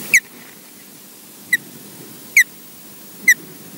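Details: Odin, an osprey making a brief visit at Loch Garten, Scotland, gives four short, clear, slightly falling whistled chirps about a second apart over a low background rumble.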